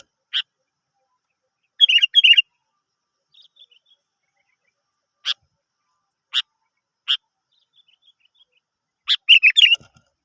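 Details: Sooty-headed bulbul song played as a lure to draw other birds into singing: scattered sharp, clicky notes spaced a second or more apart, with two short bubbly warbled phrases, one near the start and one at the end.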